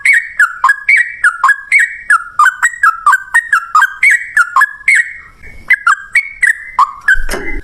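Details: Yellow-vented Bulbul song in the rapid, long 'ropel ngalas' style, used as a lure so other bulbuls answer; rapid chain of bubbly, liquid two-part notes dipping and rising, about three per second, briefly pausing near the end, then a soft rustle.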